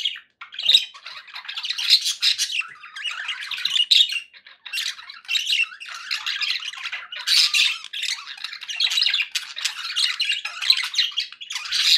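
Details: Long run of budgie calls for pet parakeets: steady flock chatter of scratchy warbles, clicks and sharp chirps, pulsing in short clusters with a brief lull early on.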